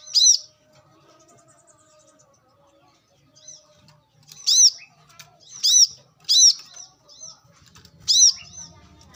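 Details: Wild brown-throated sunbird in natural surroundings giving loud, clipped high chirps, some in quick pairs, after a quiet opening, with soft low rustling beneath.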